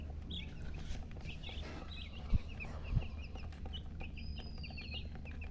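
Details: Domestic chicken chicks chirping: scattered short, high peeps, some arched and falling, in loose bursts over a steady low hum, with two soft thumps near the middle.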